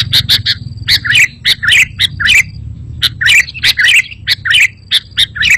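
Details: Sooty-headed bulbul song used as a lure: repeated pairs of sharp chirps followed by a slurred note, over a low background hum.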